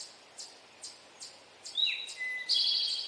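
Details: Male Eastern towhee delivering its drink-your-tea song: a sharp downward-sliding note, then a lower held tone and a loud buzzy trill, preceded by soft ticking sounds and a steady insect drone.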